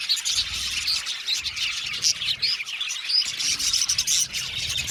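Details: Group of blue male budgies chattering, quick bright chirps and rising whistled notes layered over continuous scratchy twittering, with faint low thumps in the background.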